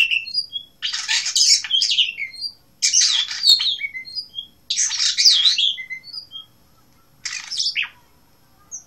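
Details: Blue rock thrush from Asia repeating chattering, warbled phrases roughly every two seconds, each trailing off in brief clear whistles; the last phrase is shorter.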